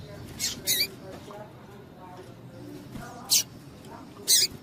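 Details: Calls of a female double-collared seedeater, played to rouse males for singing contests: a quick pair of high, thin chips, then two more single bursts about a second apart, with soft low murmuring between them.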